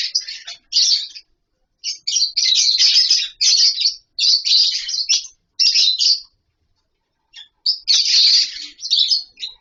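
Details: Lovebirds in a colony setup with wooden nest boxes give repeated bursts of raspy, high-pitched chattering, separated by brief silences and one longer pause.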